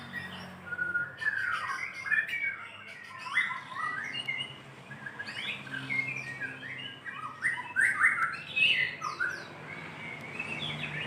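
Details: White-rumped shama, a lively singing bird calling a female, delivers a long varied run of rapid whistled and chattering phrases, rising and falling notes packed closely together with brief gaps; low background hum.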